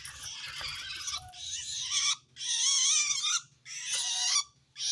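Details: Long-tailed shrike calling to wild shrikes, a sound showing it feels threatened by another shrike. Near-continuous grating, scratchy screeches in long bursts with only short breaks, over a low background hum.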